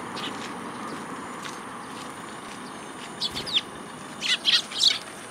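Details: Sparrows at a feeding place in a plum tree at a Tenmangu shrine, Japan, on 8 July 2022. After a quiet start, a few short high chirps and a flurry of chirping arrive near the end, over steady background hiss.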